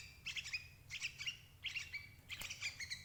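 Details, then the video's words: Sooty-headed bulbul calls used to lure adult birds into traps: four quick clusters of bright, chattering, bubbly notes spaced roughly half a second apart. "suara burung crucuk ampuh jebak indukan"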